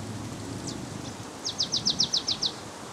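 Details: Marsh Tit in Limousin, France, on 8 February 2012, during a winter cold spell from Russia. A faint high note, then a quick run of about eight short, clipped notes at an even pace over soft background noise.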